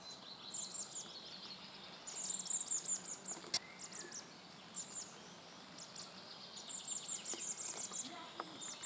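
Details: Young common blackbirds being fed by a male: bursts of very high, thin, rapid shrill notes in short chattering series, with softer scattered high calls between bursts and a quiet background hiss.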